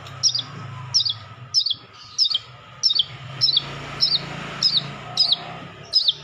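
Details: Tutor recording of a Madura long-tailed shrike packed with sekebon-style fill-ins: one sharp, high, twisting chip repeated steadily about every 0.6 seconds over a faint background hum.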